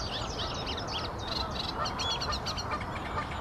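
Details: Eurasian reed warbler (Acrocephalus scirpaceus), song.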